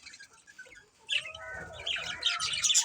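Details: Pet budgerigars in a family group chirping, with busy, scratchy high chatter rising after a quiet first second and dense overlapping twitters to the end.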